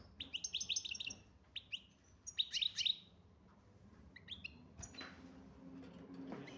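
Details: European goldfinch from Algeria, of the type called major, singing quick bright twittering notes in rapid bursts, then a pause and a few scattered chirps, with a low hum in the background.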